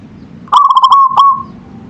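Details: Local zebra dove, or perkutut, singing: a crisp burst of rapid coo notes flowing into a steady purring trill, then one short closing note that trails away, against faint low hum.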